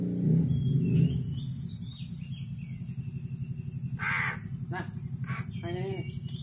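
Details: A man speaks briefly, then a hungry crow at feeding time lets out a quick run of short, grating, nasal begging cries, about four in two seconds, over a constant low hum.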